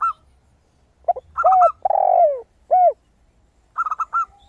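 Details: Crystal-toned song of a zebra dove: rapid clusters of short, high coos at the start, middle and end. These surround lower, rounded coos and a sustained falling coo from a second dove.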